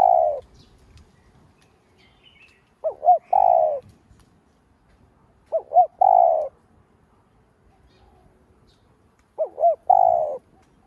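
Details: Spotted dove used as a lure to stir other doves, giving repeated coo phrases: two brief looping notes then one sustained low coo, roughly every three seconds, with quiet background.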